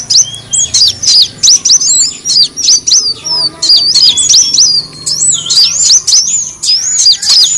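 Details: Lure sound of the brown-throated sunbird, used to draw birds in: bursts of shrill twisting chirps about three per second, thin high notes tumbling over one another with short gaps between.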